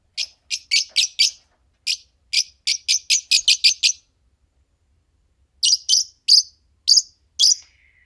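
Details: Fischer's lovebirds, a green pair, give a run of evenly spaced shrill, buzzy chirps, pause, then louder single squawks ending in a faint thin whistle.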